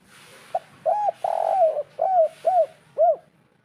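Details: 'Kuk 3' spotted dove coo, a local natural voice used as a lure for a bird that will not call: one short note, a sustained quavering coo, then three mellow arched coos about half a second apart.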